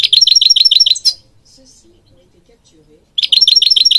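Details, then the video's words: European goldfinch song used to train birds: an even, rapid series of bright, repeated chipping notes, about eight per second, then a quiet pause before the same quick pattern resumes. "Singing Goldfinch King goldfinch singing"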